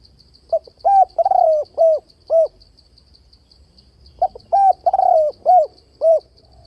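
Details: Spotted dove calling to draw doves into a fight trap, voice alternating with bo notes: the same phrase twice, each a quick double coo, a trembling drawn-out croo and two rounded notes, separated by a pause of about two seconds.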